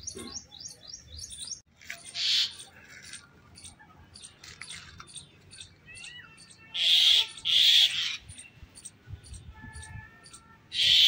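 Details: A myna in a fight with a snake gives loud, harsh, rasping screeches in bursts between runs of quick, thin, high chirps repeated several times a second.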